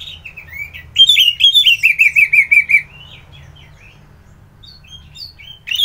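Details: Orange-headed thrush singing vigorously, kept as a songbird in Bali, Indonesia, in the morning: rising whistled slurs lead into a loud run of rapid, evenly repeated descending notes, then softer warbled phrases and a final sharp note.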